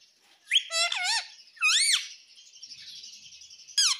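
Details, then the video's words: Talking pet ringneck parrot giving a run of bright harmonic arched calls and squeaky chirps, with a thin high background hiss throughout. "Mummy Mummy Bolne Wala Parrot || Talking Parrot"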